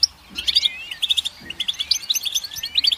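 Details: Goldfinch song played back: rapid twittering bursts of high, tinkling notes and short buzzy slurs, sung in quick phrases with brief pauses, steady through the recording.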